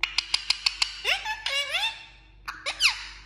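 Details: Talking parrot opening with six evenly spaced clicks, then drawn-out whistled notes that rise and level off, followed by a short pause and two quick squeaky chirps.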